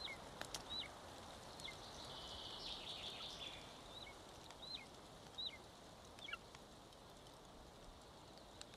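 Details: One-month-old golden eagle chick at lunch on its nest in Estonia, 25 May 2022, live cam: scattered high, falling whistles, some doubled, amid steady hiss and a brief broad rustle, growing sparse toward the end.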